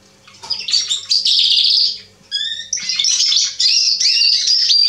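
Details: A male Atlantic canary sings on 27 October 2020: rapid rolling twitter and trills, a brief buzzy stacked note midway, then continuous high warbling chatter, over a faint low mechanical hum.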